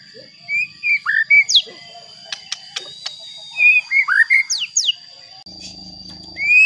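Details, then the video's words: White-rumped shama, a murai batu, singing to provoke other shamas: short whistled notes and slurred downward sweeps in two bursts, sharp clicks between, a constant high whine and a low hum near the end. "Pancingan Murai Batu Agar Bunyi Ampuh Bikin Emosi Murai Batu Lain"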